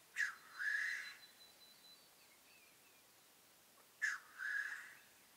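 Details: Black grouse at a lek in the 2015 mating season giving two loud, explosive hissing sneezes about four seconds apart, each a sharp burst followed by a longer breathy rush, over quiet surroundings.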